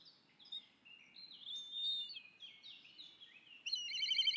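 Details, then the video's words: Black kite begging call: a run of thin, high, wavering whistles stepping down and up in pitch for about three and a half seconds, ending in a harsher, buzzy, rattling trill; quiet background otherwise. "Black Kite Begging Call"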